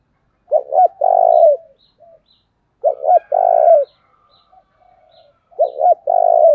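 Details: Decoy spotted dove provoking wild birds with its cooing phrase, two brief coos and a long throbbing coo, repeated three times about every two and a half seconds, with faint high chirps between.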